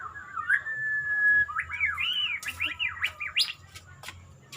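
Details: Murai, the white-rumped shama, in bowing posture gives a long, steady whistled note, then loud looping warbles that swoop up and down. Several sharp clicks or taps sound in between.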